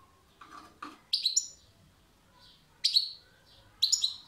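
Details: European goldfinch song: two faint low notes, then three loud, tinkling, slightly buzzy chirp bursts spaced well apart against a quiet background.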